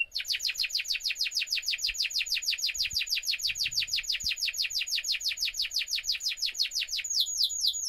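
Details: Canary singing near a laptop: a long, very fast trill of high, sharp downslurred notes repeated evenly for several seconds, changing to a slower, fuller note pattern at the end, with faint thumps behind.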